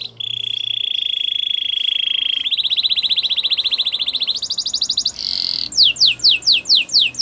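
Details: Gloster canary holding long steady rolling trills at a high pitch that step up in tone, followed by a series of loud sweeping whistled notes.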